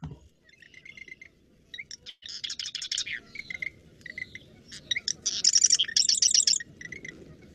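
Marsh Wrens sing rapid, buzzy, rattling trills mixed with gurgling notes, several songs overlapping as neighbouring males answer one another.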